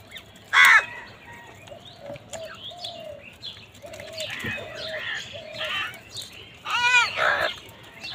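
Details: Crows fighting for food give loud, rasping caws, one early and a pair near the end, over repeated flat whistled notes and scattered chirps from other birds.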